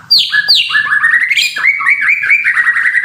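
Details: Moulting fighter-type white-rumped shama: two sharp downslurred high notes open a continuous rich warbling run of rising and falling whistles.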